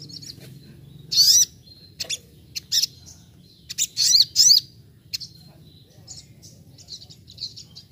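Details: Little spiderhunter (Arachnothera longirostra) singing as if in the wild: sharp, high chirps in short bursts, some with quick rising-and-falling sweeps, spaced irregularly over a quiet background.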